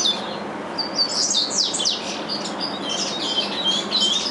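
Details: Captive-bred curiós sing their father's Curitiba-style regional song. Bright, high warbled notes and a few clean whistled slurs come in quick, uneven phrases.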